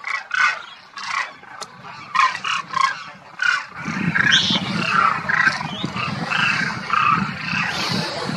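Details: Demoiselle cranes wintering at Kheechan village, Rajasthan, India, after migrating from Mongolia: about six separate rolling, trumpet-like calls with harmonics, each under half a second, then a dense, noisy chorus from many birds with a low rumble beneath.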